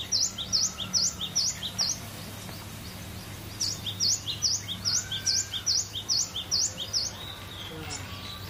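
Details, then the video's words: Cinereous tit singing in a relaxed, full-voiced manner: a rapid series of high, sharp two-part whistled notes, each a quick down-up sweep, repeated more than twice a second in two bursts with a brief pause between, over a low steady hum. "GELATIK BATU..PLONG BANGET BERKICAUNYA"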